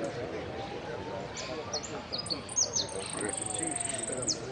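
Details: Singing-contest hooded siskin at Pirán, 15-01-17, fifth in 'amarillo sin cierre': a run of high sliding whistles and chips builds into a long, flat, rattling trill; murmuring voices and a faint low tone beneath.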